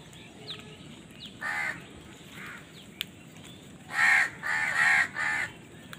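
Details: Crows fighting for food: harsh, broad caws near the start, then a louder run of three or four rasping caws in quick succession after a pause, over faint background hiss.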